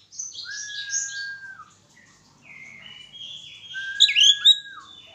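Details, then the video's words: White-rumped shama song during mating pairing: a long steady whistle that drops at its end, buzzy high notes, then another long whistle with a loud burst of chirps. "penjodohan burung kacer"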